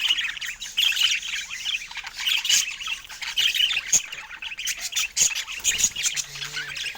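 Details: Rapid budgerigar twittering with harsh squawks and sharp high clicks, rising and falling in loudness, ending with a brief low hum.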